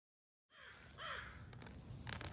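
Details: Crow from a family pair that shares part of a neighbouring territory, with the male growing bold near the camera and the female still tentative. One short, hoarse caw rises over steady outdoor rumble, followed by faint rustles and clicks.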